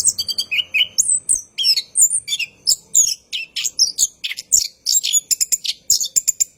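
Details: Orange-headed thrush at night delivering an unbroken rolling song meant to lure and train cage birds: dense bursts of very high chirps, trills and squeaky whistles, clean with almost no background.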